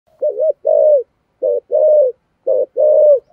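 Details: Spotted dove in the 'thổ' voice style, its cooing and calling used to lure wild doves: three paired phrases, each a short throaty note followed by a longer, steady, mellow coo. The pairs repeat about once a second in an otherwise silent background.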